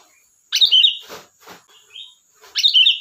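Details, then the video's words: Chatty, lively song of a sooty-headed bulbul: two loud, rich, bubbling phrases two seconds apart, separated by rustling bursts and a soft short whistle. "Suara burung Kutilang Gacor || Ocehan Kutilang"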